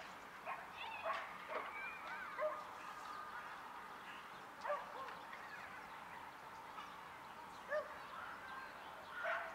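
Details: Hooded crow giving short, harsh, raspy calls at irregular intervals, each a rough nasal burst, with thin whistled notes of other birds and steady background hiss.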